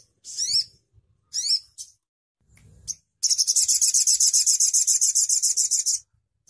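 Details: Crimson sunbird singing: two sharp high zigzag notes and a soft buzzy one, then a long rapid trill of about twenty-five bright, high repeated notes over nearly three seconds.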